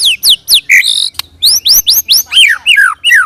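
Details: White-rumped shama singing as a lure to make other shamas respond: bright falling whistled notes and upward slurs delivered in quick succession, a brief buzzy tone, ending with descending slurred phrases.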